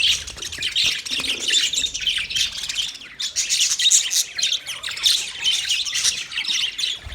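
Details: Colony of about 30 pairs of budgerigars chirping together, a dense continuous chatter of overlapping high warbles and squeaks with no pauses, swelling and easing in waves.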